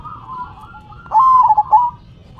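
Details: Zebra dove in manggung song with head shaking, a single short phrase of rapid, pulsed coo notes rising out of soft background cooing.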